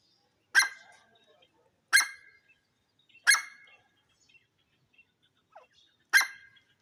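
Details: Grey francolin, known locally as jungle teetar, giving loud harsh broadband notes spaced about a second or more apart, each note decaying quickly, against a quiet background.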